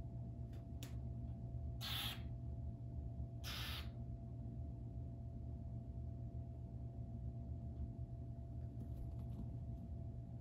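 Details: Two burrowing owl hatchlings in an aviary bird show flock; two short, harsh, hissing rasps about one and a half seconds apart over a steady low mechanical hum.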